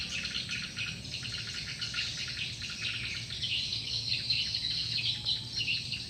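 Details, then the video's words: Swiftlets gathering to a playback lure call: rapid, crowded high chirps about one and a half per second, blending into a constant buzzy twittering wash. "Suara Burung Walet, Download Suara Panggil Walet"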